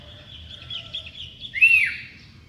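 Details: Sooty-headed bulbul singing in the morning: after a faint, steady high twittering, one loud, clear whistled note rises and then drops in a short slur.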